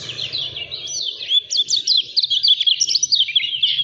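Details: Lemon-bellied white-eye, Lombok, delivering rapid 'speed rapat fighter' style song: crowded high twitters and quick whistled slurs in an unbroken run, with a low rumbling hum underneath.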